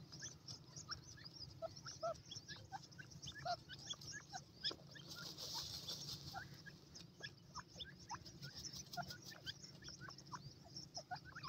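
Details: Young grey francolins, dakhni teetar chicks, at play on warm ground, giving many brief high cheeps and squeaks in an irregular stream, with a soft hiss swelling midway and constant low background hum.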